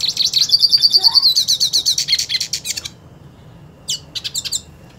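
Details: Purebred hooded siskin eager to fight another hooded siskin delivers a rapid high rolling trill of repeated whistled notes, then quick chattered chirps, a pause, and a few sharp calls.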